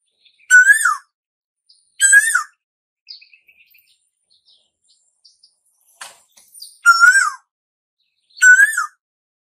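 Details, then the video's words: Asian koel calling to bring in summer: four strong whistled notes, each rising briefly before falling away, spaced irregularly. Faint soft chirps and a sharp click come between the pairs of calls. "Tiếng chim tu hú gọi mùa hè đến"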